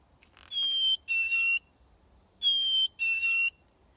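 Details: Black-capped Chickadee at a school forest bird-watching station, a bird heard all year round, giving its clear two-note whistle, a higher note dropping to a lower one, sung twice about two seconds apart over quiet background.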